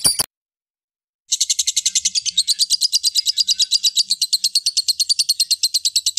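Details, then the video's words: Lovebird giving a long ngekek chatter, used as therapy to prompt other lovebirds to sing. A brief burst is followed by a pause, then a steady run of high, rapid, scratchy pulses, about three per second, continuing to the end. "terapi lovebird ngekek panjang untuk pancing bunyi"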